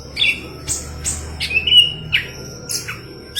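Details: Golden-fronted leafbird in full song, a tutor track for green leafbirds: high whistled notes and clipped chirps, one longer sliding whistle near the middle, with a steady faint hum below.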